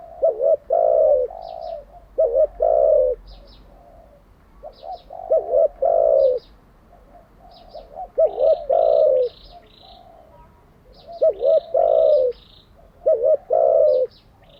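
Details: Decoy spotted dove cooing steadily for training birds, a string of phrases each with a wavering note and a drawn-out falling coo roughly every two seconds, small birds chirping high in the background.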